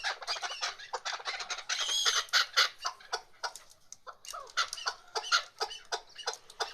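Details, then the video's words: Female chukar partridge making quieter, quick clucking notes in uneven bursts, with a harsher, denser stretch in the middle before the notes thin out again. "Shikari Chakor Awaz Keklik Sesi Mada Zerka Madi Chakorشکاری چکور آوازمادی چکور آواز"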